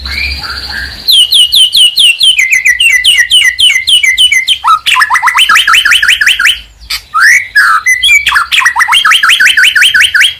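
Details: Medan-type white-rumped shama pouring out song to provoke other birds; long strings of rapid, evenly repeated swooping whistles and trills, nearly continuous.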